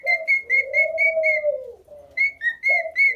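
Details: Singing pet cockatiel: rapid, evenly spaced whistled notes over a continuous lower droning tone that swells and fades, then more clear whistles, including one lower dipped note.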